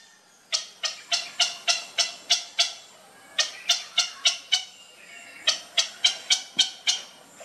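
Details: Grey heron chick at feeding time, producing three runs of quick, hard, clicking ticks at about three per second, each run lasting one to two seconds with brief gaps between.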